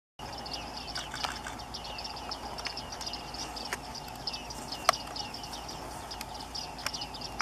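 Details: A male Bearded reedling gives short, high, twangy 'ping' notes, often in quick pairs, scattered through the clip over a steady hiss of background noise.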